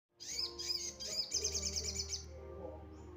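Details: Crested jay song used as a lure to provoke other birds: bursts of high, sharp chirps and rapid twittering notes, fast and irregular, over a steady low hum.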